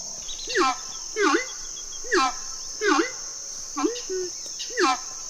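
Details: Horned screamer (Anhima cornuta) in the wetlands and savannas of the Orinoquía: song of six loud, resonant honking notes, each bending up then down, at uneven intervals of about a second, over a steady high insect drone.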